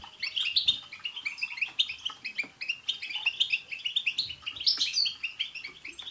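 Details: European goldfinches sing as a group, adding 'tsts' notes, to coax a pet goldfinch into song. Crowded, liquid twittering fills all six seconds, with dense, fast, repeated chirps and no pause.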